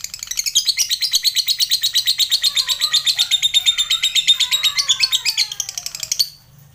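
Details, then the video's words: Long ngekek chatter of a fighter lovebird, played to train birds and provoke rivals into answering; a sustained stream of rapid, high, rattling notes lasting about six seconds, ending abruptly. "Suara lovebird ngetik sambung ngekek panjang, cepat direspon lawan"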